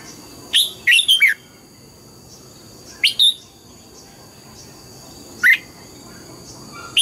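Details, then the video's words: Red-whiskered bulbul in training, singing in the morning in the mature wild double-note style: short bright whistled phrases of two to four rapid notes, separated by pauses of about two seconds, over a low steady hum. "Luyện giọng chào mào hót sáng, ép chào mào hót âm kép già rừng hay tuyệt!"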